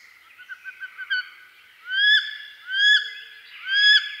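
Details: Wood duck, also called Carolina duck, a perching duck of eastern North America: a few soft short notes, then three loud rising squealing whistles about a second apart. The last two sharply upslurred cries end high and clear.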